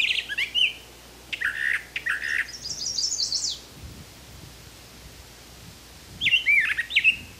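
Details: Brown thrasher, a wild bird of Canada, delivering rich burry phrases: harsh doubled notes, then a rising buzzy run, a pause, and a final pair of bright looping whistles.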